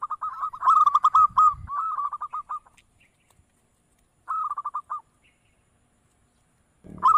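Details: Zebra dove cooing in quick stuttering phrases of short, even notes, separated by long silences, with a faint thump in the background.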